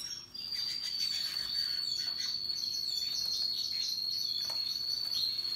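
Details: Russian yellow and Timbrado canaries, with other birds, singing happily: one long, steady, high whistled tone held for several seconds, with softer trills and chirps beneath it.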